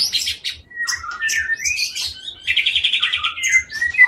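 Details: High-pitched song of a caged, long-tailed white-rumped shama from Aceh, Indonesia: buzzy notes and upslurred whistles, then a quick rattling trill and a final clear whistle, over soft regular low thumps.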